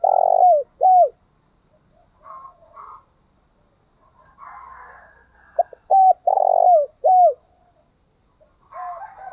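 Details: Spotted dove cooing to provoke quick singing. Two loud phrases of a long purring coo and an arched note are separated by softer background cooing, with faint calls from other doves near the end.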